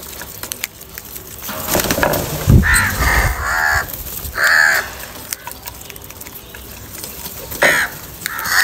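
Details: Crow calling amid fighting, anger and calls for food: several harsh, hoarse caws about half a second long, spaced irregularly with gaps of over a second, over background clatter and brief low thumps.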